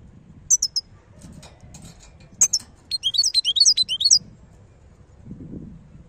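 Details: Wild European goldfinch, Algeria, starting with isolated sharp high notes before a rapid run of twittering, slurred tinkling notes; faint low rumble underneath.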